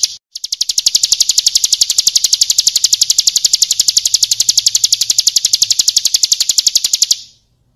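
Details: Ciblek kristal (Bar-winged prinia) in full song meant for tutoring other songbirds, a long unbroken trill of sharp, high metallic pulses at a steady rapid pace, running nearly seven seconds before cutting off.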